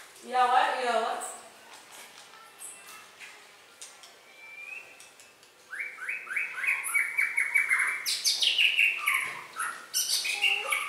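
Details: Red-whiskered bulbul song: after a quiet opening, a lively run of short whistled phrases stepping up and down, about three notes per second, with faint speech in the background.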